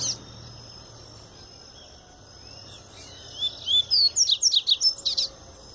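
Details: Double-collared seedeater, freshly out of molt, delivering a pure Tui Tui song: after a quiet stretch, soft rising whistles lead into a quick series of about ten crisp, high notes.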